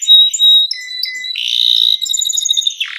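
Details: Canary in gacor song for mastering young singers: pure high whistles, lower held notes, a buzzing rattle and rapid repeated chips ending in a short harsh burst.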